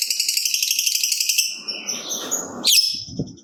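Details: Fighter lovebird's 'ngekek panjang' lure song: about a second and a half of fast, high chattering trill. After it come soft rustling, one sharp downward chirp and a low knock.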